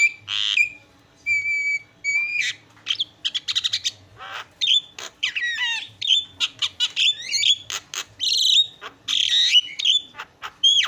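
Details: Javan myna singing energetically in a varied isian filler song. Long flat whistles give way to rapid clicking chatter, swooping slurred whistles and harsh squawky notes.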